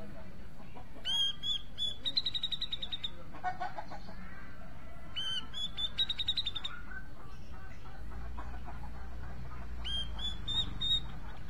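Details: Grey-cheeked bulbul giving three separate bursts of song: each a bright, high whistle breaking into fast pulsed notes, with soft chattering in between and low background rumble.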